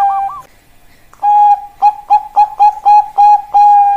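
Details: Bangkok perkutut (zebra dove): a brief trill, a short pause, then a long steady note followed by a quick series of clipped coos and a final held tone.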